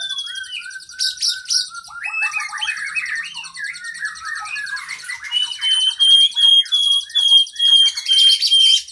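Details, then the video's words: Training song of a caged kacer (oriental magpie-robin) full of long fill-ins. Whistled notes give way to stuttering chatter, then pulsing buzzy bursts against thin, sustained high whistles. "Masteran Burung kacer Gacor isian Panjang"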